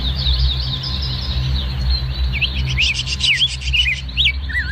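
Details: Oriental magpie-robin in an aviary singing varied whistled phrases, some sweeping up and down, others short slurred notes, over a loud constant low hum.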